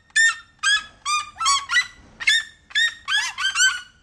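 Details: A pair of captive red-legged seriemas (Cariama cristata) calling: loud, harsh yelping notes, about two per second, rich in harmonics, rising into a hurried, overlapping chatter.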